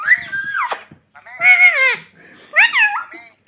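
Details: Pet parrot, called a talking parrot, imitating the word "mummy" indoors: three harmonic, voice-like utterances with bending, slurred pitch, separated by short pauses.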